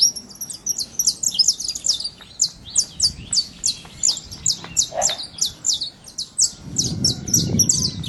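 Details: Free-living saffron finch in nature singing a steady string of high, clipped chirps, about two per second, throughout, with a brief low thump midway and a low rumbling noise near the end.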